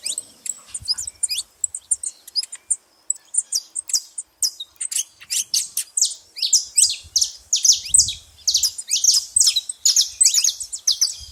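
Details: Saffron finches crowd a feeding spot, a steady stream of thin high chirps building into a dense, loud chorus of overlapping rising notes in the second half.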